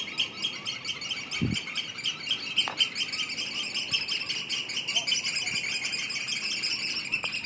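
Eurasian oystercatchers give a dense, continuous stream of shrill, high piping calls, many overlapping in rapid succession, with a brief low thump near the start.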